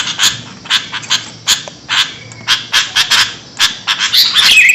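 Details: Sooty-headed bulbul heard in a lure recording; spaced, rasping chatter notes come in irregular clusters, and a short thin whistle sounds near the end.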